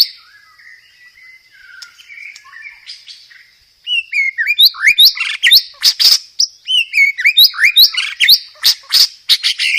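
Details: White-rumped shama training song rich in varied fillers: quiet thin whistled notes for nearly four seconds, then an energetic stream of loud, rapid chirps, down-slurred whistles and buzzy bursts, with a steady high whine behind.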